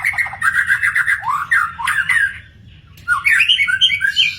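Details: Magpie-robin in the wild giving a rich, varied song of rapid rattling trills and slurred whistles, with a short pause before a run of bright, rising and falling notes.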